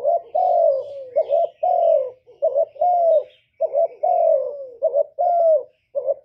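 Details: Spotted dove cooing, recorded live without added noise for playback to stimulate caged doves. Low mellow coos come in quick pairs followed by long drawn, falling notes, repeated steadily. Faint chirps of other birds sit in the background.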